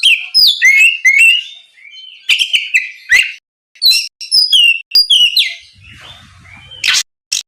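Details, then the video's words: Kacer singing to provoke a rival kacer into response: quick whistled trills and slurred notes in bursts, quieter stretch near the end, a faint low rumble, and a closing harsh note. "SUARA BURUNG KACER GACOR NGEPLONG MEMANCING KACER LAWAN AGAR LEKAS BUNYI NYAUT & GACOR!"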